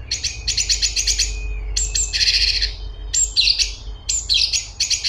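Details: Light-vented bulbul singing rapid, scratchy high-pitched chatter in tight phrases, with a short pause between each burst and a faint steady hum behind.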